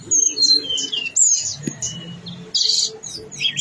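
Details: Energetic blue-winged leafbird song packed with imitated phrases: quick sliding high whistles and short buzzy bursts in a dense, varied sequence, over a soft low background hum.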